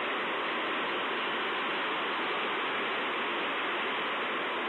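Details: Steady, loud broadband rushing like a waterfall or stream fills the whole recording without any distinct calls.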